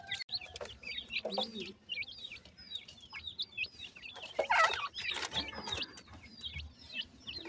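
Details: Francolin (teetar) chicks feed and play in the evening, several at once giving a busy stream of short, high peeping chirps, with brief lower clucking and scuffling noises between.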